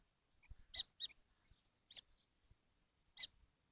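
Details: Seven kestrels sharing a nesting box in the heat, 12 June 2025; loud, short grating calls, a close pair then two more spaced about a second apart, with soft knocks below.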